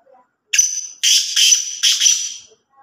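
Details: Black francolin, known locally as kala teetar, giving a loud, harsh, grating call of three rasping bursts over about two seconds, with near silence before and after.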